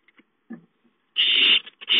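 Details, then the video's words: Owlets begging for food at home, dated 5-9-13: a loud, close, harsh hiss lasting under half a second, then another starting, preceded by a few soft scratchy taps. "Owlets have fun playing at home, Chicka calls for food"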